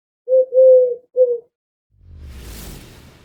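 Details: A Mourning Dove recorded in spring in Montana gives three low, soft, hollow coos within about a second and a half, followed by a broad rushing rumble of wind or handling noise.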